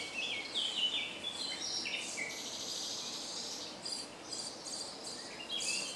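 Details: Common starling singing in a woodland patch near Jarun, Zagreb, Croatia, early May 2017; squeaky slurred whistles and chatter, then a long thin high hiss and buzzy bursts, ending with rising whistled squeaks.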